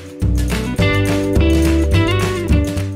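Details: Strummed guitar music with rich plucked chords throughout and no animal sound.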